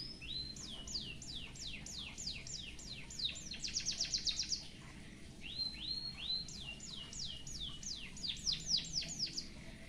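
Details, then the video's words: White-headed munia singing a song filled with canary phrases, kept as a tutor for other birds: quick runs of high, sliding whistled notes about four per second, a fast rattling trill midway, a brief pause, then more sliding notes over steady low background noise. "BURUNG EMPRIT HAJI FULL ISIAN KENARI BIKIN GOYANG GOYANG COCOK BUAT MASTERAN"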